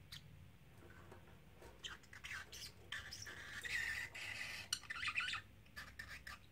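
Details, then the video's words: Male parrotlet, three months old, at home saying phrases over and over; soft scattered clicks give way to a longer, loud, grating chatter of high squawky syllables, then a final burst before quieting. "Talking Parrotlet"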